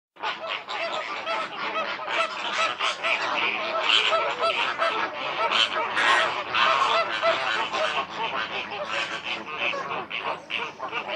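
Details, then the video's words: A dense flamingo flock gives constant nasal, goose-like honks and grunts, overlapping without pause throughout, with no other clear sounds. "FLAMINGO BIRD SOUND EFFECTS"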